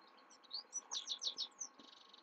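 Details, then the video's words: Himalayan goldfinch singing at night: a quick run of high, bright twittering notes, several rapid buzzy chirps in a cluster, over a steady low electrical hum. "حسون هملايا يغرد بالليل"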